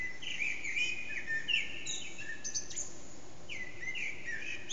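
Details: Eurasian blackbird dawn-time song around 4:30am from an unseen bird in a reverberant backyard, HTC Desire recording; several mellow warbled phrases separated by brief pauses, each tailing into thin high twitters, over low steady hiss.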